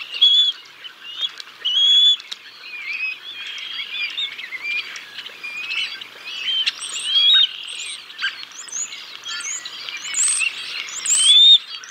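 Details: Bald eagles at Decorah North, 6 May 2022, the male feeding the chicks a fish before the female arrives: scattered high whistled peeps among clicks and rustling, louder whistles at the start and the end.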